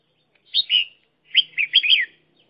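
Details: Red-whiskered bulbul used as a decoy bird in trapping, singing a short warbled phrase then a bouncy series of four bright whistled notes.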